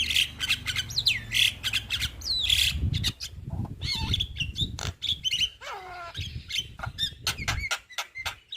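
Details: Young Javan myna singing energetically, sliding whistles, grating squawks and quick clicks in a fast, varied stream over a low rumbling background.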